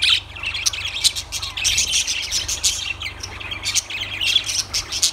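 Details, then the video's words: Lovebirds in a busy group, giving overlapping shrill squawks and chirps in quick bursts, with a steady low hum underneath. "Lovebirds Sounds"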